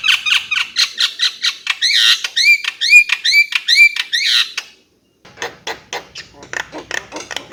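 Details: Javan myna giving a rapid series of clipped, scratchy notes with several short upslurred whistles woven in, then a brief silence before more quick dry ticking notes.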